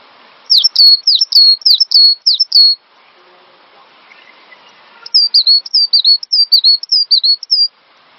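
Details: Cinereous tit song used to train songbirds: a fast run of loud, high down-slurred whistles, a brief pause, then a second run of smoother, wavering whistled notes.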